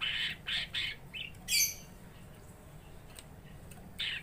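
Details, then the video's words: Caged greater green leafbird provoked to fight a rival; loud harsh rasping bursts in quick succession, one strident squawk, then quieter pause before a last rasping note. "Tes Mental Cucak Ijo Gacor Tarung Bikin Emosi Cucak Ijo Kamu"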